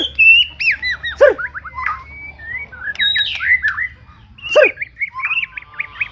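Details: Murai song of the BORDAN type used as a master recording: bright whistled notes and quick trills in short phrases, with sharp clicks between them and a faint low hum.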